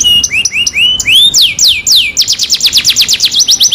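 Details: Canary lure song played to coax a silent canary into steady singing: a lively run of upslurred whistles, then loud downward sweeps, then a fast rattling trill of repeated high notes.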